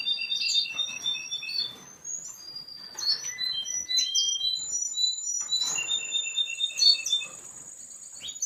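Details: Yellow male Russian canary, ready for breeding, singing a varied song of rapid repeated high notes, sliding whistles and a long sustained high tone near the end, against faint room noise.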